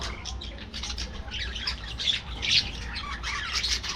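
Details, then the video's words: Aviary budgies give harsh short squawks and scratchy chirps over steady flock twittering, the louder calls peaking in the second half. "budgies bird"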